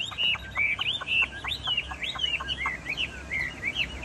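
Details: Caged Chinese hwamei, a tame bird singing steadily even while its cage is shaken: a fast run of clear whistled notes rising and falling, repeated in quick succession with short sharp clicks between phrases.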